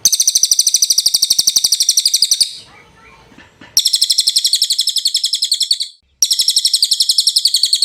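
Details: Clear cililin song, recorded for training young and moulting songbirds, mixed with trickling water: rapid high chattering note series, about four notes a second, interrupted by a soft rustling gap and a brief silence.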